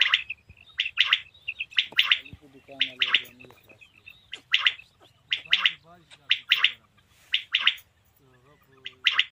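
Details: Calling of a male common quail (batair): sharp paired bursts repeat steadily every half second to a second, with lower, rippling, gargled sounds woven between them.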